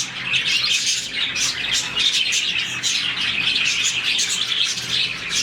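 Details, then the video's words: Happy morning chirping of a budgie colony of roughly 40 birds: constant overlapping high-pitched twittering and short chirps, evenly loud throughout, the whole flock calling together. "Lovebirds, budgies, parakeets morning chirping sound"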